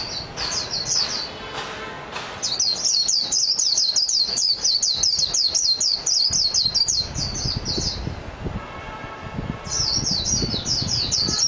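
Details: Japanese white-eye (mejiro) singing long runs of high, rapid, warbling chirps, a short phrase, then a sustained five-second stream, pause, and another burst, with faint lower harmonic tones and background noise.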